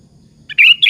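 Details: Sooty-headed bulbul in full song, used as a lure to provoke other bulbuls into answering; a short bright phrase of clear whistled notes, rising then held, ending in a quick chirpy flourish.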